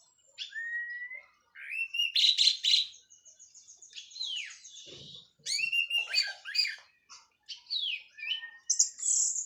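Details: Local orange-headed thrush from Cililin, done moulting, in full 'plong' and 'teler' song: rising whistles, harsh buzzy bursts, downward-sweeping slurs and chattering phrases in a varied, nearly continuous stream, with one brief low thump.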